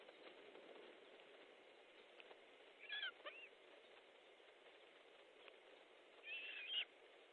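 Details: Fish delivery at an osprey nest in Estonia, 14 July 2014, 12:50: two short clusters of high whistled, slurred osprey notes about three seconds apart, with a soft rustling hiss throughout.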